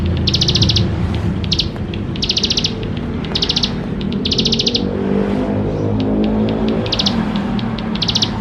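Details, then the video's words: Full, rich bar-winged prinia song used to coax young prinias into song: rapid high ticking trill bursts at uneven intervals, some shorter, over noticeable low-pitched background noise. "Ciblek Sawah Gacor Full Isian Mewah"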